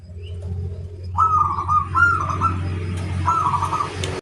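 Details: Local zebra dove singing to challenge rivals: stuttering cooing notes in two short runs, over a steady low hum and background noise, with faint distant chirps.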